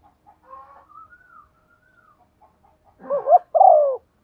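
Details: Decoy spotted dove cooing to stir others into calling; soft, faint murmuring notes come first, then one loud phrase of two quick warbled notes and a long descending coo.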